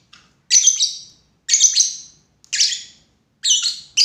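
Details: Lovebird repeating harsh, shrill chirps about once a second, each a buzzy doubled note, in a steady but uneven rhythm.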